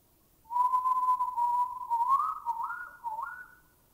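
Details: Oriental Bay Owl recorded in a Thai national park (Khao Yai, Doi Inthanon, Doi Suthep-Pui or Chae Son): one long, eerie, mid-pitched whistle of about three seconds, holding steady then wavering and rising in quavering bends, over a quiet background.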